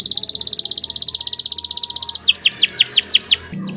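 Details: Canary song used for training: a rapid high buzzy trill of evenly repeated notes, then several sweeping downward whistles and a brief low sound at the end.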